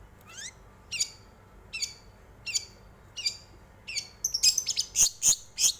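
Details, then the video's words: Long-tailed shrike song serving as a lure to make other birds sing: sharp descending sweeps repeated about every three-quarters of a second, breaking into loud, harsh, rasping chatters near the end. "pancingan burung cendet"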